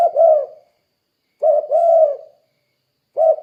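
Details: Spotted dove calling steadily, its recording used as a lure to get other doves calling: low, mellow, hoarse coos in two-part phrases, repeated about every one and a half seconds in a quiet setting.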